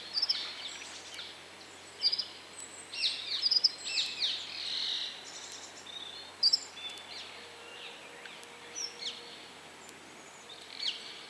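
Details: Red crossbill perched high in a bare tree, giving short sharp chirping calls in loose bursts, some clustered and others isolated, with quiet gaps and faint background noise.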